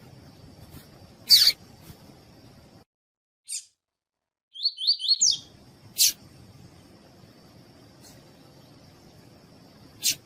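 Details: Double-collared seedeater (coleiro tui-tui) with a female calling, for warming up kept males: scattered clicks, then a brisk burst of four rising whistled notes mid-way, followed by further isolated clicks.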